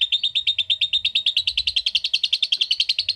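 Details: A lovebird in the ngetik style delivers a steady ngekek trill. Evenly spaced, sharp chattering notes repeat fast and at a constant pitch for over three seconds, with faint low background rumble.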